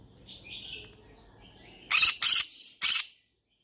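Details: Yellow-sided conure, a parrot said to be looking for friends to talk to: soft warbling chatter, then three loud, harsh screeches in quick succession near the end, with a quiet room behind.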